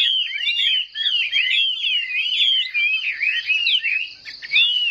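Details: Chinese hwamei in competitive fighting song, a caged bird with fanned tail: rapid loud whistled phrases, twisting up and down, continuous and varied.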